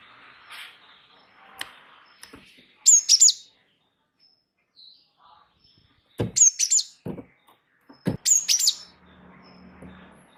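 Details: Wingko Java sparrow in tutor song for prompting other birds: quieter high double and triple chirps in three bursts, mixed with faint knocks and clicks.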